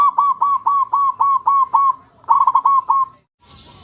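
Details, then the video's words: Zebra dove song: eight evenly spaced rolling coos, about four per second, then a fast trilled burst of several coos before the phrase stops and soft hiss remains. "Suara Burung Perkutut"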